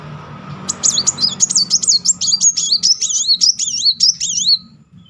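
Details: A Kolibri Muncang sunbird rolls out one long unbroken run of shrill, rapidly looping notes for about four seconds, then falls silent. The song is meant to trigger singing in another bird.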